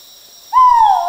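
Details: A male great argus calling in tropical rainforest at Danum Valley Conservation Area, Sabah, Borneo, Malaysia: one loud, clear, hooting note that starts suddenly and slides slightly downward, held for over half a second after a quiet start.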